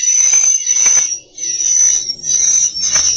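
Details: Swiftlet lure calls played to attract swiftlets to roost in a bird house: an unbroken high, shrill chattering wash that pulses in loudness, dipping briefly before resuming.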